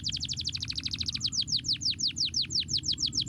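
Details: Canary song played to stimulate lazy canaries to sing: a fast trill of high, downward-swept whistled notes, about three per second at first then slowing slightly, over a steady low hum.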